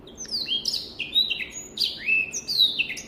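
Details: Soft, slightly distant-sounding Black-throated canary song, a handful of drawn-out whistles falling in pitch, separated by brief gaps, with light background hiss.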